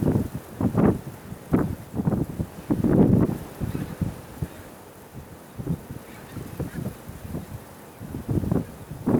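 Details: Small group of Tundra bean geese (Anser serrirostris) on Texel, Holland, on 28 December 2012, giving low nasal honking calls in uneven bursts, several birds overlapping, with quieter gaps between clusters of calls.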